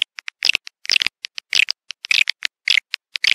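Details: Swiftlet sound for drawing swiftlets to a bird house: scattered high, dry ticking clicks and short rattling chirp clusters with brief gaps between them.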